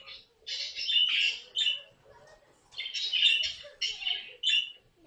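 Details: Pet caique parrot making two bouts of loud, rough squawks, each a cluster of harsh bursts, separated by a quieter second of faint chatter.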